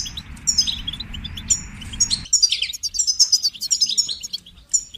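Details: Goldfinch song of quick, bright chirps and liquid twittering phrases. A broad hiss fills the background for the first half, then clears, leaving the bird alone.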